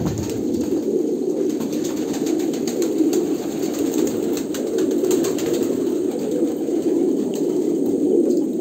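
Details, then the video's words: Kolkata pigeons make low, throaty cooing that merges into an unbroken rumbling hum, with occasional soft knocks and wing or movement noises. "kolkata pigeon"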